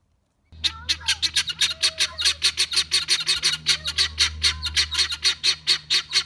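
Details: Guineafowl calling in a rapid, harsh, rattling series of sharp notes, about five per second and steady for six seconds, with a low hum underneath.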